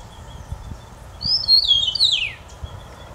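An Eastern Meadowlark sings a single phrase of clear, slurred whistles that glide downward, lasting just over a second, with faint low thumps of wind beneath.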